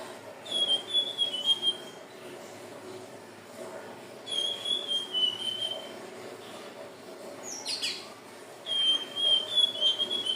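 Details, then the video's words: Hill blue flycatcher song, recorded for use as a lure: sweet, high whistled warbling phrases about a second long, slurring gently downward, given three times with short pauses, plus a brief sharp high note near the middle. "SUARA BURUNG TLEDEKAN BIRU/SIKATAN NINON/SELENDANG BIRU"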